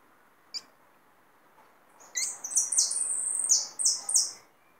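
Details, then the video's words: A captive hooded siskin (jilguero), reluctant to sing much, gives one sharp high chip, then about two seconds of rapid, high twittering with bright buzzy notes slurring downward, in a quiet room. "jilguero completo el "me gusta" un pajaro que agarre de canto"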